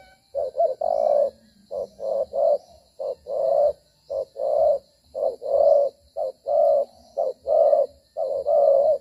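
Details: Spotted dove used as a decoy in dove trapping, cooing while moving and fighting: low, hollow coos in short bursts of two or three notes, repeated steadily through the recording, with a faint steady high hum behind.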